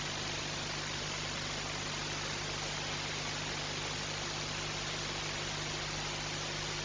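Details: Steady broadband hiss like static or white noise, with a faint low hum underneath, unchanged throughout; no animal sound heard.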